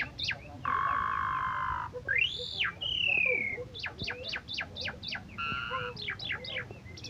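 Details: Asian pied starling, a first-place winner of a 17 August bird contest, singing a rich, varied song: sustained harmonic nasal notes, a high arched whistle, a falling whistle, then rapid strings of sharp downward chips.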